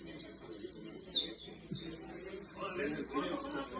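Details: Fine canary trilling: bursts of very high rapid trills and sweeping whistled phrases, pausing midway before resuming, with a soft low background murmur.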